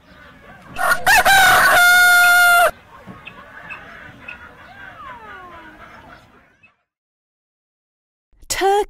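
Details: Rooster crowing: one loud, bright, drawn-out crow lasting nearly two seconds with a steady pitch, followed by quieter falling calls in the background before silence.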